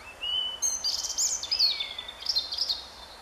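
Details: European robin singing on 10 April 2015 while pecking at an ant: a thin, high, liquid phrase of sliding whistles and twittering notes with a long falling glide midway, over a quiet background.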